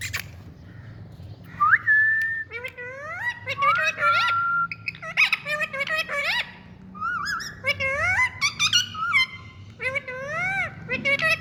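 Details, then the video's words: Indian pet parrot talking in a stream of speech-like, strongly harmonic warbles with rising and falling glides and some sustained whistled notes, against a low background hum. "Parrot Beauty🥀Bird Indian🤍Tutu Love Talk"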